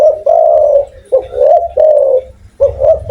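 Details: Loud spotted dove cooing: a long, smooth, slightly falling hoot, then a pair of short-long phrases, and a final clipped note with a rising hoot, over a faint low hum.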